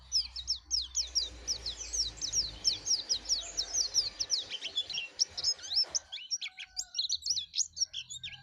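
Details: Yellow-breasted white-eye singing energetically, fast high twittering chirps and trills running almost without pause, with a low hum underneath for the first six seconds and then a clearer stretch.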